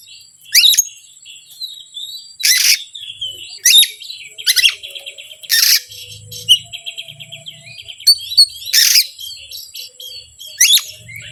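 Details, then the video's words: Oriental magpie-robin song played to stir up reluctant magpie-robins: loud raspy bursts recurring every couple of seconds between twittering whistles, with faint low murmuring in the background. "PANCINGAN BURUNG KACER YANG SUSAH PANAS 99%EMOSI"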